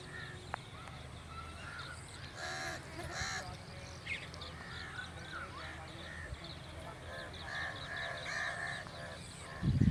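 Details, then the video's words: Crow calling with scattered hoarse caws, some in a quick cluster near the end, partly masked by heavy low-pitched background rumble and a sharp knock. "Crow | The amazing birds natural crow sound | کوے | کوے کی خوبصورت اواز"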